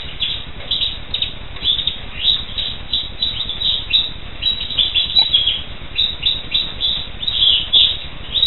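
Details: Black siskin in a lively, sustained twitter, bright high chirps tumbling quickly one after another in rolling phrases.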